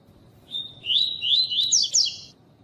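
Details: Double-collared seedeater giving the pure tui-tui song, a training song for caged males, while a female calls to warm him up: one high, fast phrase of slurred whistles and sharp rising notes, lasting under two seconds.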